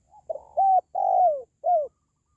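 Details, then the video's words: Spotted dove call, used to lift the spirits of pet doves at home or to lure wild doves when trapping: a soft hooting coo phrase of three notes, the middle one long and falling, the last short and downslurred, against a quiet background. "SUARA PANGGILAN BURUNG TERKUKUR"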